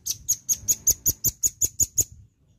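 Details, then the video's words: Velvet-fronted nuthatch in lively full song, used as a lure recording: a run of about ten sharp, high, ringing chip notes delivered evenly at roughly five per second, then stopping abruptly, with a faint low rumble beneath. "PANCINGAN BUNYI BURUNG RAMBATAN PARUH MERAH GACOR"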